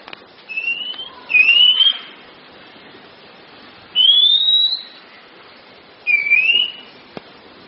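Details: Oriental magpie-robin (kacer) training recording for cage birds: a soft whistle runs into a louder rising one, followed by two further clear upslurred whistles, each with a pause of about two seconds before it.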